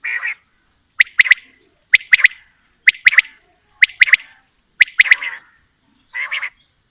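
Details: Quail (batair), male calling: crisp, clipped three-note phrases repeated steadily about once a second, with a harsher drawn-out note at the start and end, in a quiet background.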